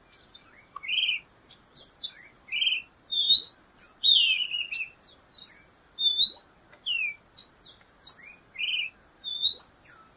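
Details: Black-goggled tanager in continuous song: a lively run of bright, high slurred whistles, rising and falling notes alternating rapidly with short gaps, some with faint sharp ticks mixed in, sustained over ten seconds.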